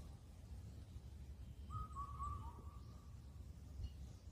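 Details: Indian cuckoo calling on Cheonmasan in Incheon, Korea, where it is said to sing through the night in late spring: a single phrase of four clear whistles, the final note falling, over a steady low hum.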